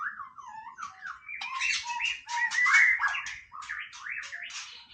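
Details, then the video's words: White-rumped shama singing casually: a continuous jumble of slurred whistles and scratchy notes, swooping up and down, louder in the middle. "นกกางเขนดงร้องเล่น Shama Bird"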